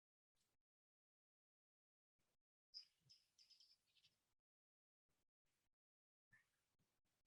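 California Towhee giving brief, sharp metallic chips at irregular intervals, with a busier run of other birdsong, including quail and thrasher, behind it.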